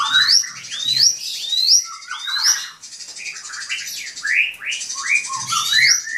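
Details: Drongo singing to provoke a rival, mixing high rising whistles with lower slurred, squawky phrases in an irregular run, faint low thumps in the background.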